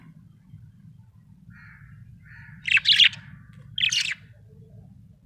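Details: Soft short buzzy notes lead into two loud harsh chirp bursts from a small parrot, over a steady low hum.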